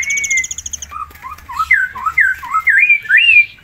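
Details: {'caption': 'Close, loud ngitir singing from a tame forktail kept as a master song: a high buzzy trill over a thin whistle, then a rapid chain of wavering, looping whistled phrases rising and falling.'}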